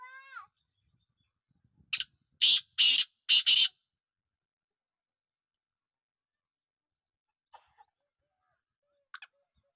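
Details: Black francolin of the Sindhi type, a harsh phrase of four loud, broadband rasping notes over about a second and a half, followed by near silence with a few faint clicks.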